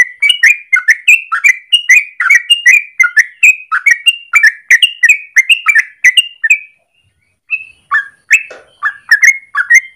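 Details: Long morning song of a yellow-vented bulbul, used to lure or train birds: a rapid chain of bubbly whistled notes, then a short gap and a few looser notes.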